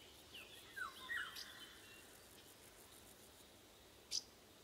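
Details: Flute-like song of a Eurasian golden oriole in summer woodland, captured in June 2020 with paired AKG C414B XLS mics: two quick warbled whistles about one second in, a sharp high click later, with wind and crickets behind.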